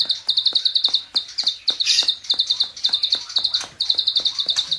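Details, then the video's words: Klik-klik bird, a training recording, calling in lively bursts: short fast runs of high, crisp chirps, each run lasting under a second, with a louder rushing note midway and soft ticks. "masteran burung klik klik gacor || full tembakan ngebren"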